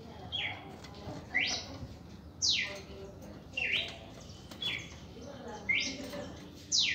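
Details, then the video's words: Red-crested cardinal in reaction song: a series of bright slurred whistles, mostly steep downward sweeps with a few short rising notes, delivered about once per second with short gaps, against faint low background noise. "Canto de Cardenal Cardeal 1°Reacción en Canto"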